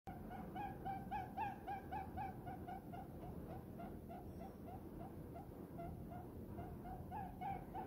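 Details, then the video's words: Diamond dove, a tame bird nestled contentedly in a person's palm, giving rapid soft short coos, steady low notes repeated several times a second over quiet background hiss. "diamond dove happy short coos"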